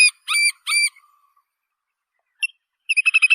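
Little Grebe: a few shrill, squealing whistled notes, then a fast rising whinnying trill of high notes run together, bright and piercing.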